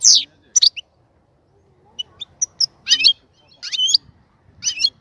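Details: Caged European goldfinch, cage being readied for pairing, giving scattered chirps: a harsh opening note, a few high tinkling calls and short twittered bursts spaced by quiet gaps.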